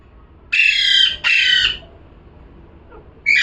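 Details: Parrot calls in a pair of loud raspy squawks, a quiet pause of over a second, then a third squawk beginning at the end.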